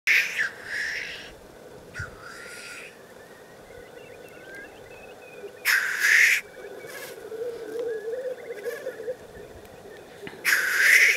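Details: Male black grouse displaying on a lek in the Cairngorms, Scotland, filmed with a Canon EOS 7D: loud bursts of harsh hissing sneezes at intervals between quieter bubbling, cooing rookooing phrases carried low beneath the display.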